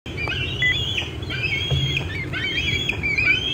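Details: Bald eaglet squeeing near its nest in the late afternoon of June 25, 2013, while an adult eats a fish in an old tree; overlapping high whistled squeals with harmonics, some rising, over low rumbling background noise.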